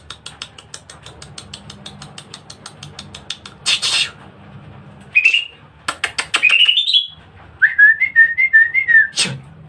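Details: Greater green leafbird singing in an agile, aggressive fighting style. A long run of dry ticking clicks, about three per second, gives way to a loud burst, short rising whistles and a wavering whistled phrase, with a low hum throughout.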